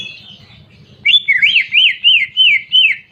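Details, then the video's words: After a faint low rumble, a greater green leafbird gives six loud, looping whistled notes, each rising then dropping, about three per second, in its canary-imitation song. "Masteran Cucak Ijo Isian Kenari Jernih"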